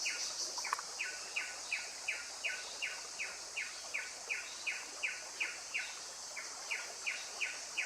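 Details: Blyth's paradise-flycatcher (Terpsiphone affinis) giving a long series of short, harsh notes that slide down, repeated steadily about three times a second, over a constant high insect hiss.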